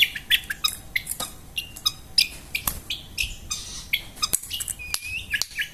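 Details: Long-tailed shrike, locally pentet, billed as a bold fighter singing in full gacor style. Rapid, varied high chirps, squeaky whistles and harsh squawks tumble in quick succession, punctuated by sharp broadband clicks and snaps.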